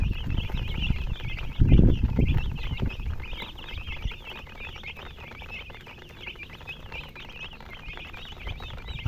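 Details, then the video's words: Chicks peep rapidly in high, looping chirps about four times a second, with a loud low thud near the start and steady low background noise. "Baby "Chicks Chirping" Sound"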